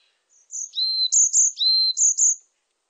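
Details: Song of a varied tit, a high piping note followed by a longer lower whistle, the pattern repeated briskly three times against a silent background.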